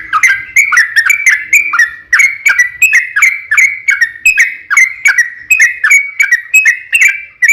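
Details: Yellow-vented bulbul singing long and vigorously, used as a lure to make other birds answer. Continuous, fast sequence of sharp, dipping whistled notes in an uneven, chattering rhythm.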